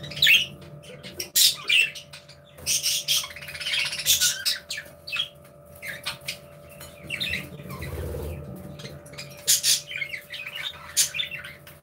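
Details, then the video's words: Budgerigars chirping and playing together in an aviary: irregular scratchy chirps and short squawks come in scattered bursts, with a soft low rumble near the end. "Happy Budgies Sounds"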